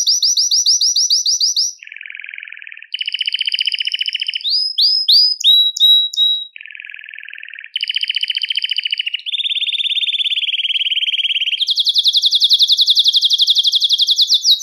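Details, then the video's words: Belgian canary singing to stimulate males and bring females into breeding condition; a chain of rapid trilled tours, each held one to two seconds, jumping between high and lower pitches, with a fast buzzy high trill at the end. "Canto Para Esquentar Canário Belga e Foguear as Fêmeas"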